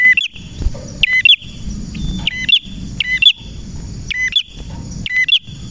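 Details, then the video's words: Vigorously singing male red prinia, known locally as prenjak merah. Short, bright, looping chirps are delivered in tight groups at irregular intervals of about a second, with a faint continuous high whine and soft low hum beneath. "Prenjak Merah Gacor cocok untuk masteran dan pancingan prenjak bahan ‼️prenjak birds singing ‼️"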